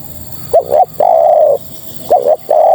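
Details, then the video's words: Female spotted dove calling to males: two short upward-flicked coos followed by a long, steady, slightly falling coo, the three-part phrase given twice over steady background hiss. "Suara Terkukur Betina Memanggil Jantan"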